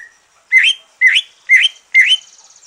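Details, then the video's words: Green leafbird after moulting, used to prompt other birds to sing: four loud, identical rising whistled phrases spaced about half a second apart, each sweeping upward with a buzzy edge. "Kicau santai cucak ijo,,rangsangan cucak ijo selesai nyulam"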